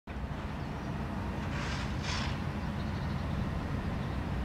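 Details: Steady low traffic rumble with two brief louder hissing swells near the middle, like passing vehicles; no animal calls are heard.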